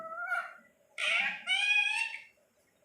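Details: Talking pet parrot said to copy all human speech gives three raspy, nasal, voice-like phrases, the last two longer and steady, between a person's words to the bird.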